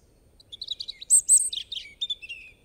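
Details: European robin in song, delivering a quick, jumbled phrase of high twittering notes, two loud piercing whistles and descending liquid warbles within under three seconds.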